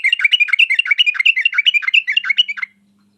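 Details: Yellow-vented bulbul singing energetically to call out a response from other birds: a dense, non-stop stream of quick gurgling notes that ends abruptly.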